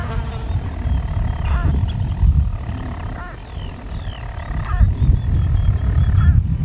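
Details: Daytime recording from European storm petrel nest burrows, Skokholm, Wales, 5 June 2013, birds hidden underground: a rough low purr runs throughout, punctuated by several sharp hiccups, plus faint distant high bird notes.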